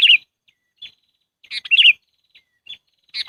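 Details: Sooty-headed bulbul lure call for trapping: bubbly, warbling chirp phrases with short single notes between them, irregularly spaced, in a quiet setting.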